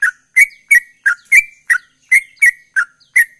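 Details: Sooty-headed bulbul, known as trucukan ropel, giving ten loud ringing notes in just over three seconds, each a short whistle with bright harmonics, some sliding downward, at a brisk steady pace.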